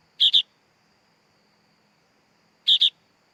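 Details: Chick of the sooty-headed bulbul giving two rough double-noted calls about two and a half seconds apart, with silence between.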